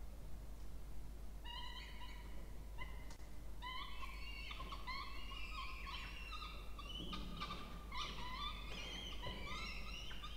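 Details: Peregrine falcon chicks, two of them, begging while fed at a water-tower nest box in Orange, New South Wales, Australia, October 2024. Rapid runs of piercing, harmonic squealing notes repeat in bursts, mixed with occasional sharp knocks and scraping.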